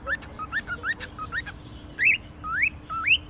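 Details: A cockatiel, described as a talking bird, at a pet shop in Konya, Turkey, gives quick whistled phrases: short rising notes in a rapid run, then longer swooping upward whistles, over a steady low hum.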